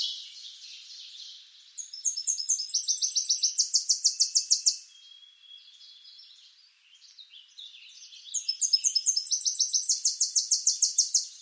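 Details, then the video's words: A Tennessee warbler (Leiothlypis peregrina) sings two loud, high bursts of rapid chips that speed into a dry, even trill, with softer chirps from other birds in the gap between. "Tennessee Warbler Bird Sound"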